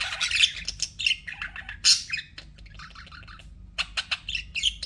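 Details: Budgies kept as pets chatter with loud squeaky chirps at first, then softer warbling and scattered short clicks and tweets, constant low hum.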